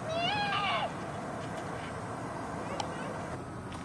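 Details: A black swan at Ringenberg Castle gives one short, bugling, wavering call lasting under a second, over a steady hiss of traffic-like background noise.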